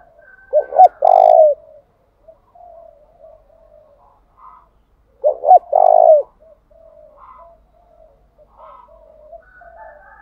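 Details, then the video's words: Spotted dove decoy urging wild doves to call back: two loud phrases about five seconds apart, each two quick notes and a long, grainy coo, separated by gentle, low, broken cooing. "Tiếng chim cu gáy thúc bảo đảm bổi nghe gáy liền, chim cu gáy mồi đảo bài liên tục"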